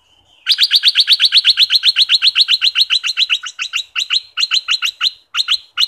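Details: Southern Thai bulbul, played to excite birds for decoy trapping: after a short quiet whistle, a fast, steady run of sharp, bright chirped notes, about four a second, loosening into broken groups near the end.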